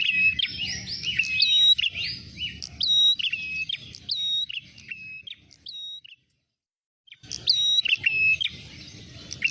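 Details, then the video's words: Ashy tailorbird call used as a trapping lure. Bright, clipped whistled notes are delivered in rapid, irregular sequences. The sound breaks off into a second of silence, then the chirping resumes. "jitu pikat prenjak merah suara pancingan"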